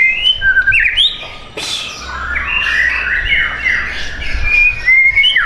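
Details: White-rumped shama caged for sale in South Tangerang, Indonesia; clear rising whistles, a harsh burst near the middle, then tumbling slurred notes and bright repeated whistles.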